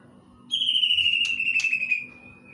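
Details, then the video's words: Greater green leafbird imitating a kingfisher: a single long rattling whistle, slightly falling, lasting about one and a half seconds, with two brief clicks and a low background hum. "Cicak ijo materi cekakak udang"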